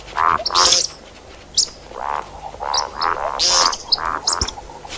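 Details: See-see partridge call used for hunting: a series of short, nasal, harmonic mid-pitched notes repeated about every half second in uneven bursts, with brief high chirps from small birds scattered above.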